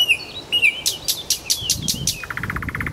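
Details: Nightingale song from Kuzminsky forest park: two whistled notes, a row of loud broadband strokes, then a quick, even trill of short chattering notes.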